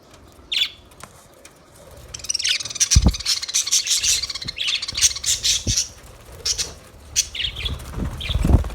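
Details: Budgerigars chirping and chattering in a busy run of high, scratchy, rapid notes, with a few isolated chirps before it and occasional low thumps.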